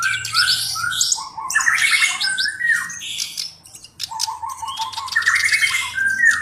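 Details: Black-browed reed warbler singing energetically as a tutor bird: two bursts of harsh chatter, grating buzzes and slurred whistles separated by a short quieter pause.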